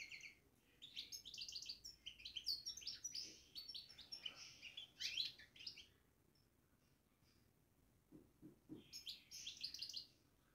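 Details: European goldfinch babbling in a cage, pouring out long stretches of rapid, high tinkling twitter, then falling quiet with a few soft low knocks before another burst of chattering notes.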